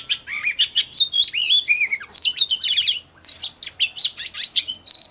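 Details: Song of an oriental magpie-robin used to provoke singing and attract wild birds: rich whistled phrases with descending slurs, then after a brief pause a rapid string of chirps and trills, clean background.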